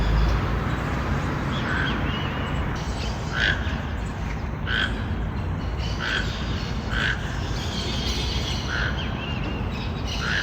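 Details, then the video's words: Loud toucan vocalizing in the forest; a regular run of short, rasping croaks about every second, set against continuous low ambient noise and faint thin bird calls. "Canto do tucano"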